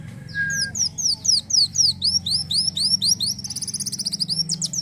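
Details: Van Hasselt's sunbird pouring out fast high chips, each a sharp downward slur, about four a second, ending in a dense buzzy trill; a low hum underneath.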